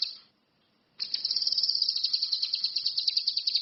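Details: Orange-headed thrush singing actively: a brief high note, a pause, then a long, fast, high-pitched pulsed trill of many even chattering notes repeated steadily for nearly three seconds.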